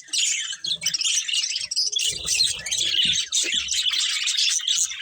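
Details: Colourful pet budgerigars eating amid a steady, thick chorus of high overlapping chirps and scratchy warbles, with occasional low knocks and rustles.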